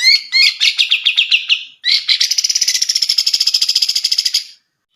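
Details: Grey-cheeked bulbul song used as a tutor recording for training other songbirds: a bird prized in song contests for its loud, varied voice. A quick series of bright chattering notes, brief pause, then a longer rapid, even trill.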